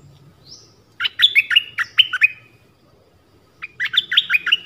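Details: Mate-attracting call of a decoy bird in the forest, 13 January 2021: a short rising whistle, then a run of sharp chattering chirps, silence, and a second chirpy burst, over faint low rumble.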